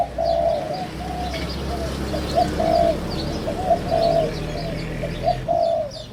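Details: First-clutch hybrid 'sai din' Spotted Doves, about five months old and starting to sing in their excited phase, give a steady series of soft, hollow coo notes grouped into repeated phrases over a low background hum and scattered high chirps.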